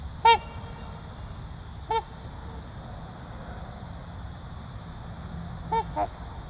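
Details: Trumpeter swans of a breeding pair give single short, nasal, horn-like honks, rich in harmonics, spaced irregularly with two close together near the end, over steady low background rumble and a constant faint high hum.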